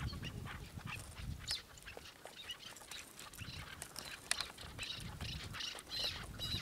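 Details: Chukar partridge uttering quick, higher clipped notes in irregular bursts, with scattered clicks and a faint low rumble in the background.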